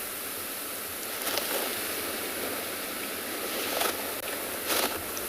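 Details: Steady broadband hiss like distant traffic or rushing water, with a few brief bursts of noise and no animal calls. Nothing else stands out.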